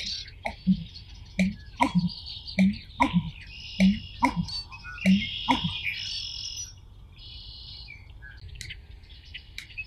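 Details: American bittern, a shy, well-camouflaged marsh bird, giving a run of low, hollow gulping notes roughly every half second with sharp clicks, ending after six seconds, while smaller birds chirp and twitter higher throughout.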